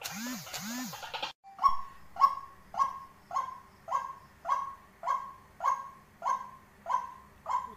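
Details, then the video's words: After two rising-and-falling whistles at the start, a tame decoy white-breasted waterhen settles into steady, hollow calls. The notes are repeated about every 0.6 seconds, around a dozen in a row. "Burung ruak ruak | Burung wak wak denak jinak padu"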